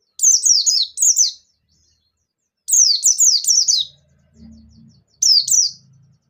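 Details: White-eye called bustomi, singing in the ngalas nembak manner as a stimulus for other white-eyes. Three bursts of quick, high, zigzagging chirps, with a faint low hum in the gap near the end.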